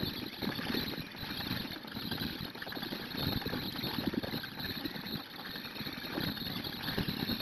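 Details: Rough, fluctuating engine-like rumble and broadband noise with a thin high whine throughout, no animal heard.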